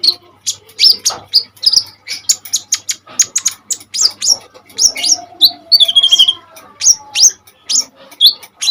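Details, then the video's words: Hard-singing common iora, used to train other birds: steady fast run of high sharp chirps and short whistled notes, including a longer wavering whistle near the middle, faint low hum early on. "KONIN GACOR FULL TEMBAKAN SADIS"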